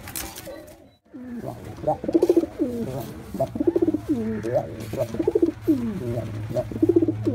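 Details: After a brief silent gap, a male white pigeon launches into repeated guttural coos, pulsed rolls followed by downward swoops, steady low hum beneath.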